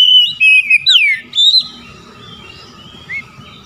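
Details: Oriental magpie-robin singing 'ngeplong' to summon rivals, which answer back. A loud phrase of clear whistles, including a long downward glide, lasts under two seconds before fading to faint distant notes over a low hum.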